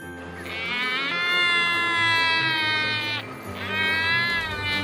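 An albatross gives two long, nasal, wailing cries, each held for about three seconds with a slight wavering pitch, over a soft, steady musical drone.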